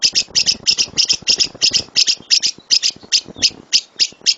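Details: Master recording of a lovebird's loud 'tembakan' rapid-fire song: harsh, high chirps delivered in pairs, roughly three doublets a second, keeping a steady chattering rhythm throughout.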